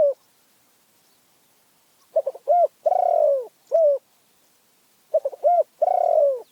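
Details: Spotted dove of Phrae with a small, fierce voice, singing a repeated phrase: a fast stutter of short notes, a brief coo, then a long, descending drawn-out coo, given twice with a quiet pause between.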